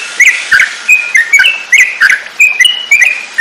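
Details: Yellow-vented bulbul, offered as masteran song for teaching caged songbirds: loud whistles, each short and slightly slurred, spaced unevenly and mixed with sharp ticking notes.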